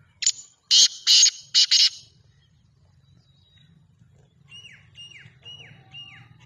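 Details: Francolin giving loud, rasping bursts in a quick cluster of four, followed after a pause by a series of four thin, falling whistled notes spaced about half a second apart, over a low background hum.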